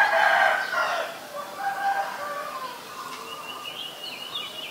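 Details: White-vented myna in Ubon Ratchathani, Thailand, 8 March 2022, opening with a loud harsh, grating outburst, followed by softer warbled and whistled phrases and thin high notes at the close.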